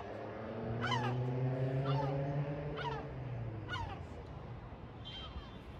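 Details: Sea gulls at Batumi, Georgia: a series of sharp, descending, nasal calls repeated about once a second, over a steady low engine-like hum.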